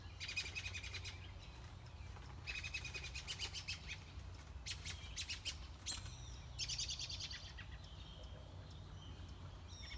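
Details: Six-day-old American robin nestlings being fed at the nest give bursts of thin, high, rapid chirping, about four bouts of a second or so each, over a steady low rumble.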